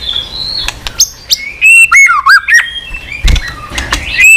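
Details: White-rumped shama giving long-lasting song with many unusual voices and tail flicks. Pure whistles glide and dip, mixed with quick high clicks and short sweeping notes.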